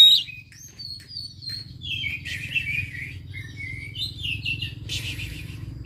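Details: Oriental magpie-robin song used as a lure to provoke a reluctant, quiet bird into singing: varied whistled and warbled phrases, some sliding, others with buzzy bursts, over a steady low hum.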